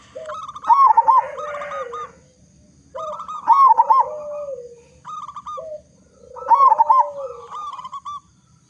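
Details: Local Indonesian zebra dove with a big, loud voice, used as a lure to make other zebra doves sing: three bouncy, rolling cooing phrases about three seconds apart, each followed by a lower, drawn-out coo.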